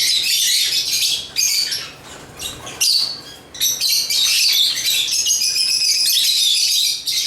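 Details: Lovebirds, African Agapornis, keep up an almost continuous stream of shrill, squeaky chirps and scratchy twitters, briefly quieter around the third second, then rising into steady high chatter.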